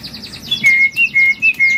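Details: Javan myna in a bird kiosk, said to be moulting yet still singing steadily: quick high descending chirps, then a run of clear, flat, high whistled notes repeated about every quarter second, over a faint low background hum.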